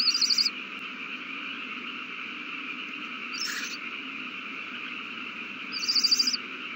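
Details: Owl chicks being fed, recorded 27 March 2020: three rasping, hissy begging bursts spaced a few seconds apart, over a constant droning hum.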